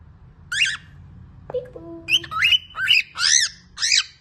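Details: Lutino cockatiel throwing an angry fit indoors: harsh, rasping screeches with strong harmonics, about six bursts in quick succession, plus a short low whistled tone in the middle.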